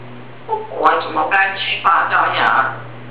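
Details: Pet grey parrot talking indoors, mimicking both its owner's voice and its own in a back-and-forth exchange; a few seconds of speech-like babbling with varied pitch and syllables over a steady low hum.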